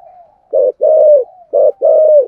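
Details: Thổ sấm-voiced spotted dove calling with two ending notes; a soft trailing coo leads into two rich phrases, each a short burst then a long level coo, about a second apart.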